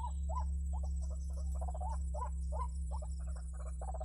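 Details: Trapping lure of white-breasted waterhen, with repeated rising, slightly bent notes mixed with rapid clucking pulses, played over a heavy low hum and a faint steady high whine.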